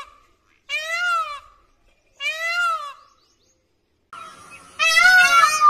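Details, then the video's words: Indian peafowl recorded in Tharparkar, Sindh, Pakistan: two clear, arched, nasal wails about a second apart, then after a pause a longer, louder, strained call from another bird. "Peacock sound"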